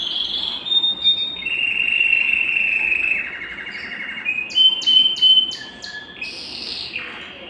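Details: Belgian canary singing to stimulate other birds and bring females into breeding condition: long steady whistles, then a rapid series of sharp clipped notes and a final rising phrase.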